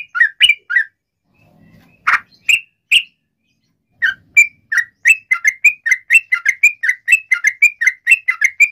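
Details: Sooty-headed bulbul in lively song used to lure others into answering: a few scattered chirps and a pause, then a steady, quickening series of bright repeated notes.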